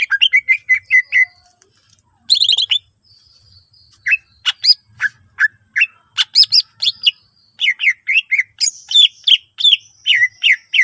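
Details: Song of a greater green leafbird, used to encourage other leafbirds to sing: a run of repeated short whistles, a sharp burst, then varied chips and falling whistled notes in quick succession.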